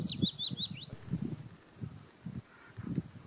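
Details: Singing Willow warbler in Auld Haa Garden, Fair Isle: a short phrase of thin high whistled notes falling away at the start, followed by low thumping and rustling background noise.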